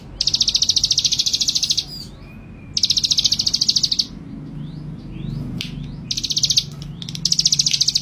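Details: Bold, chatty male ciblek gunung delivering repeated trains of quick, dry, high pulses lasting one to two seconds, spaced by pauses filled with thin rising chirps.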